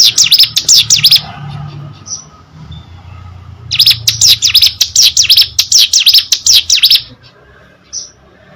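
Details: Energetic hill prinia song, a brisk string of high, dipping notes delivered quickly, broken by a quiet gap before another fast burst; faint low background hum.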